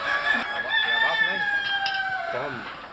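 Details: Buff Orpington bantam rooster crowing at a small-animal show in Etziken, Switzerland, January 2012; a long harmonic crow held level for about two seconds, then dropping at the end, over dense hall chatter and other poultry.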